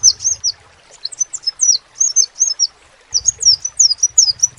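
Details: Crimson sunbird song of rapid, high-pitched downslurred notes in quick runs, broken by a short pause, with faint low rumbling noise in the background.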